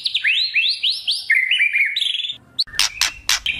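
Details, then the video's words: White-rumped shama, spotted juvenile form, singing to goad other shamas: upswept whistles repeated in a series, a lower warbled stretch, then harsh crackling rattle notes. "Pancingan murai trotol agar ngeplong dan murai batu pastol bunyi gacor | Kretekan murai batu"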